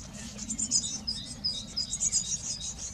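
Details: Blue tits caring for young at a garden nest box: fast, high-pitched, twittering notes, roughly ten sharp pulses a second, with faint low hum behind.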